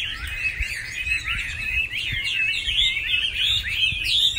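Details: Chinese hwamei in full song on Lunar New Year's Eve, pouring out fast, looping whistles and rising-falling slurs in an unbroken rapid phrase, with soft low background hum.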